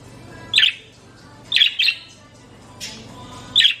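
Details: A green budgerigar, a pet, gives short, scratchy chirps in answer to her name being called.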